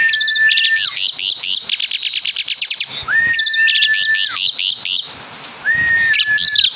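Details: Javan Asian pied starling imitating caladi and kapas tembak calls: long, level, clear whistles alternate with dense bursts of rapid high chattering notes, repeated in three bouts.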